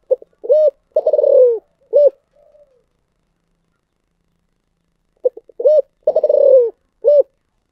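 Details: Spotted dove calling in the thổ sấm style, two full phrases about five seconds apart, each with quick short notes, a long pulsing downward coo and a final rounded note; otherwise silent.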